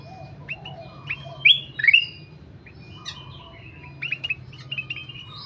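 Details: Ruby-throated bulbul (kutilang emas) in full song: scattered clear whistles and sharp upward-sweeping notes, with a loud pair of bright phrases near the middle, against a low background drone.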